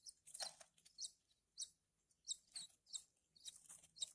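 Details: Horsfield's bush lark chicks begging while being hand-fed; sharp, very high, hissy squeaks come in short bursts about every half second, separated by brief silences.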